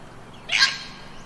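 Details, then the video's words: Wattlebirds screeching in an Australian garden at Easter, near flowering basil busy with bees and butterflies: one harsh, raspy screech lasting about a third of a second, loud and broad against a quiet background. "and that's the wattlebirds screeching in the background if you can hear them."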